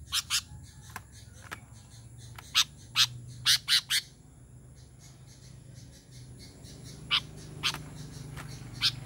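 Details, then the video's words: Sooty-headed bulbul calling to other bulbuls: scattered sharp chip notes, a tight cluster of four around the middle, then sparse single chips, against a noisy background with low rumbling hum. "Suara KUTILANG panggilan kutilang gacor memanggil kutilang lain"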